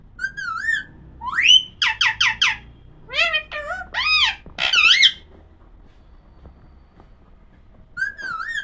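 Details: Alexandrine parakeet (pahadi parrot), said to be talking, produces clear whistled, wavering tones and a quick series of rising, chattering syllables over about four seconds, falls silent, then ends with another wavy whistle.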